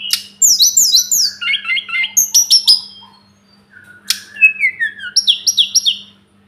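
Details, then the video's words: Sunda robin, known locally as tledekan gunung or sulingan gunung, recorded as tutor song for training cage birds: rapid bright whistled phrases, sliding notes and quick trills, high and varied, with a pause before a second burst of descending and repeated whistles. "Masteran burung tledekan gunung || burung sulingan gunung"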